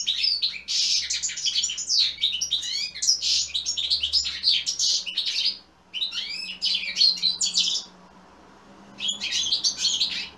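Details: Singing European goldfinch, its song meant to set other goldfinches singing: several energetic bursts of sparkling twitters and buzzy trills separated by short silences, with a soft low hum in the background.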